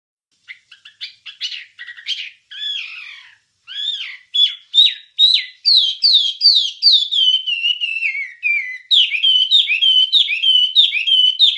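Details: Wambie song recorded as a master track for training songbirds: a long run of clear whistled and chirped notes, starting with short scattered calls, then steady falling whistles repeated about twice a second, no other sounds.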